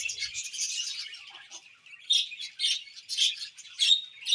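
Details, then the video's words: Budgerigar chirps: a run of buzzy, warbling chatter that fades, then distinct short bright chirps repeated roughly every half second. "Beautiful Budgies Chirping Sounds"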